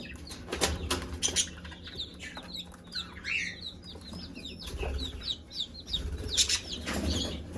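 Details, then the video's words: A hen summons her chicks to food with occasional low clucks, while dense high peeping from many chicks fills the background over steady low hum. "Mother hen call her chicks to eat- chicken sound"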